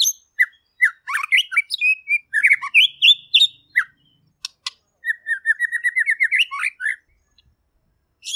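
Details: Rich, varied song of a white-rumped shama: quick whistled notes and sharp clicks jumbled together, then a rapid series of rising whistles, a short pause and a final high burst.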